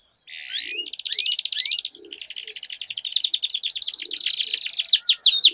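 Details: Canaries in a singing duel: after a moment of quiet, a buzzy rattle and a few rising slurs lead into a fast trill that grows steadily louder, with soft low thuds in the background.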